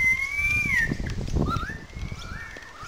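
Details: Currawongs calling loudly in a small gully above the wetlands at Sydney Park, St Peters, Sydney; one loud, clear whistle holds level, then slides down, followed by softer rising and falling whistled notes with faint background rumble.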